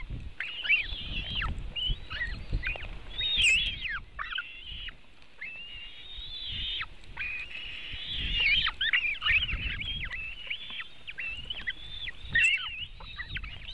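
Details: Latvian white-tailed eagle nest webcam, 24 June 2018 in the afternoon, during feeding of the eaglets with a monster fish: persistent high-pitched whistling and squeaking, many falling notes in clusters, recurring low scuffling sounds at the nest.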